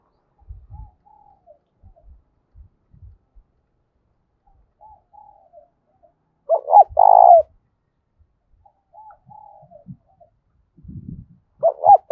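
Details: Spotted dove repeating its loud, resonant fighting coo, a hooting phrase about seven seconds in and another at the end, with a faint distant coo phrase and scattered low knocks and rustles between.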